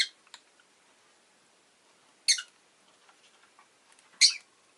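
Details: Pet rosy-faced lovebird giving three sharp, loud, broadband chirps about two seconds apart, with faint softer ticks between them in a quiet room.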